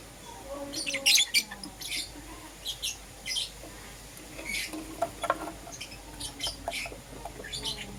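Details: Chirping lovebirds, Euwing green opaline and lutino, heard in the morning: a loud cluster of shrill chirps early on, followed by spaced single high tweets and small bursts throughout.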